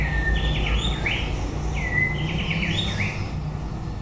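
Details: White-rumped shama singing at the end of the breeding season: swooping whistled phrases, some slurred up and down, in two bursts about a second apart. A steady low hum runs underneath.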